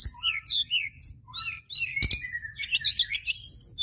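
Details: White-browed shortwing, called tledekan gunung, singing vigorously as a lure recording: rapid jumbled high warble of slurred whistles and twittering notes, with a sharp broadband click near two seconds.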